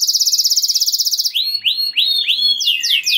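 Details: Canary in full song, whose singing is said to raise breeding mood in other canaries so they join in: a fast, even high trill for over a second, then a run of looping slurred notes rising and dropping.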